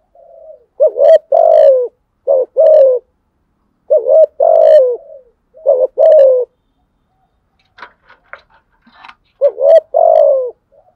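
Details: Spotted dove in challenge cooing with repeated loud paired coos, short then long and descending, in several phrases. A brief scratchy rattling noise sounds near the end, between phrases.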